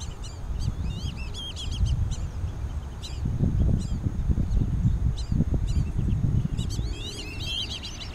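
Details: Black-bellied whistling ducks with their juveniles at Twin Lakes, Diamondhead, Mississippi, 2017. Thin whistled notes, some wavering, recur in short bursts throughout, denser near the end, over a loud low rumble of background noise.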